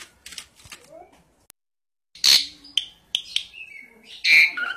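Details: Asian pied starling singing quietly at first with soft chatter, then louder harsh notes, short whistles and a bright whistled note at the close.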